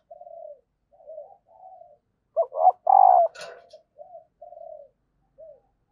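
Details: Female spotted dove call meant to get males cooing: soft low notes around a loud central phrase of two short coos and a long resonant coo, with a brief click.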